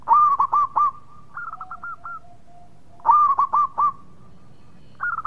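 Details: Local Indonesian zebra dove in full song: bursts of four rapid, rolling coos near one pitch, then a softer trilled phrase and a long low drawn note, with the loud burst repeating after about three seconds.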